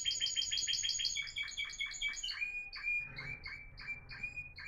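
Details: Caged timbrado canary, Florealdo line, from a trio of fine singers recorded in 2021: a rapid, bright, metallic trill that slows into spaced piping notes, then a steady series of short chirps, with faint low room hum.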